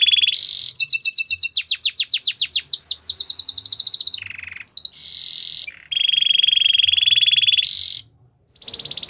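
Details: Belgian canary song for training young canaries, a varied sequence: rapid accelerating trilled notes, short buzzy bursts, a long steady rolling trill, and a brief pause before resuming.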